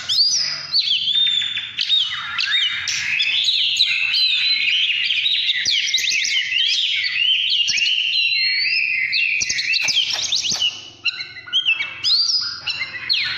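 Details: Oriental magpie-robin pouring out a long, varied song of sweet whistles, rapid trills and rising and falling phrases, briefly softer near the end, over a quiet background.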